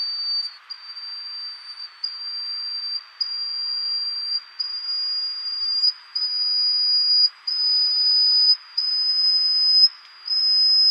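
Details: At Tataka, Taiwan, on 9 April 2015, a Yellow-bellied Bush Warbler of the endemic Taiwan subspecies sings. A sustained series of pure, very high whistles climbs gradually over about eleven seconds, with short breaks between notes.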